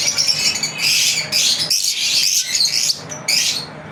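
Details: Lovebirds chirping in their daily routine, a dense stream of shrill, buzzy high notes broken by brief pauses, nearly continuous throughout.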